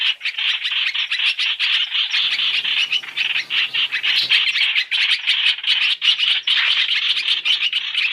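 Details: {'caption': 'Trapping lure of black-throated laughingthrush combining three calls. Quick, high, chirping phrases pour out back to back, dense and steady, with faint low rumbling in the background.'}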